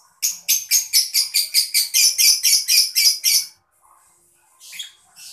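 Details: Mocha lovebird chirping, used to stimulate other birds to sing: a rapid, even series of about fourteen shrill, harsh chirps, roughly four per second, then a pause and a softer, scratchy chatter at the end.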